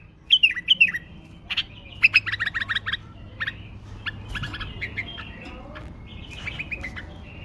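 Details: A caged pet male bulbul in Baghdad, hand-tamed and trained, sings almost nonstop. It gives bright, bubbling phrases of quick chirps and short whistled notes in irregular bursts, with some harsher squawky notes and a faint low hum.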